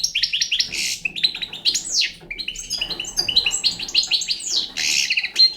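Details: Young European goldfinch of the Balkan type singing a fast, continuous twittering song of high tinkling notes, buzzy trills and descending slurs, loud and close.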